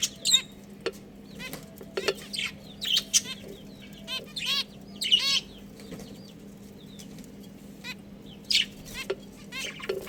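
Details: Pet budgerigars in a breeding pair family: sharp clicks and bursts of harmonic chirping and warbling scattered over ten seconds, against a low continuous hum.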